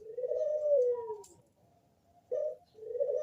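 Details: Bangkok-type zebra dove with a thick, bassy voice, used as a lure to get other zebra doves calling: a long, smooth, slowly falling coo, a pause, then two shorter mellow cooing notes in a quiet indoor setting.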